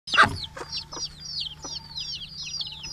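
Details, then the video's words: Many large and small chickens calling in the morning as they are let out of the coop and fed, Betbari, Fulbaria, Mymensingh, 6 October 2018; one loud harsh call opens, then a stream of high, thin, down-slurred peeps repeats steadily. "Sound of Hen- মুরগীর ডাক"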